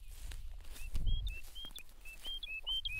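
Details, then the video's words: Woodlark song in the background at Krasny Bor, Belarus, on March 18, 2015: a distant quick run of short clear whistled notes alternating higher and lower, over low wind rumble, near a recently released bison herd. "Woodlark's song at background."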